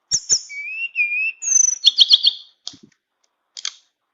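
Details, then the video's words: Tame flowerpecker singing flute-style: long level and gently rising whistles, a piercing high whistle, then a fast stuttering trill of high notes, with two brief chirps trailing afterwards. "Burung Tledekan Jinak nyuling full isian"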